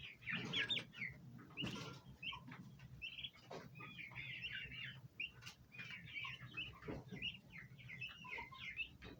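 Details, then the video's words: Domestic bronze turkey poults gathering at a basin of ornamental plants, wanting to eat: clusters of high wavering peeps among a few lower notes, with wing flutters and knocks near the start. "baby turkey Free Sound Effects | bronze turkey poults"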